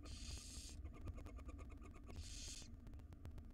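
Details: Barn owl family in a wild nest box as the female feeds her small young: two rasping hiss bursts, each under a second, separated by a pause, with a constant low hum behind.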